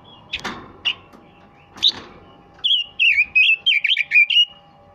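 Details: Red-billed leiothrix song: after a few knocks and rustles, a quick run of fluty, warbled whistled notes rising and falling at mid-high pitch, delivered in short bursts over about two seconds.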